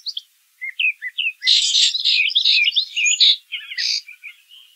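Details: Singing brown thrasher, close and loud: a few slurred notes, then a dense, harsh, rapid run of mixed phrases, ending in softer twittering notes.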